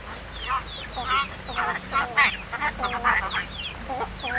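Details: Pet crested mynas about seven months old, starting to mimic speech: rough chattering phrases and slurred whistles in quick succession, fairly loud and continuous.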